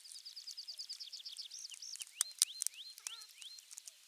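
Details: Osprey at its nest on 23 June 2020, nest camera 3, with a half-kilo crucian carp as morning fish; a fast chattering series of high whistled notes, then several steeply rising squealing calls amid sharp clicks.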